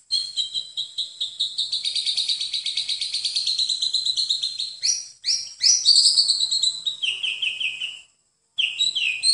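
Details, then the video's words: White-rumped shama song from a master recording for training birds: a long, fast high trill that gives way to varied sweeping whistles, a pause, then another run of notes. "Masteran Terbaik Murai Batu"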